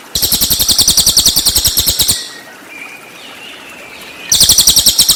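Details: Cililin song used as a training recording for white-rumped shama: two loud bursts of rapid, evenly pulsed high trilling, about eight notes per second, separated by a two-second quiet gap with faint thin whistles.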